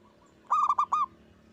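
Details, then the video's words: One loud cooing phrase from a local zebra dove, meant to prompt other doves to sing: four quick, bright notes in a tight burst over a faint low background hum. "Perkutut gacor suara besar bikin ON nyaut buka paruh"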